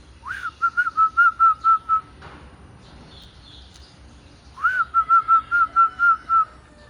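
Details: Zebra dove, locally perkutut, giving two song phrases. Each begins with a rising slurred note and continues with a rapid series of eight or nine clear, level whistled coos; a soft rustle sounds in between.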